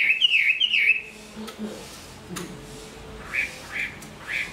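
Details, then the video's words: Chinese hwamei, a large-bodied bird said to sing and fight well, moulting into new plumage; two loud, harsh, sweeping squawks open, followed after a pause by three short rasping bursts, with a few sharp clicks and a low background hum. "Họa mi bộ to hót tốt"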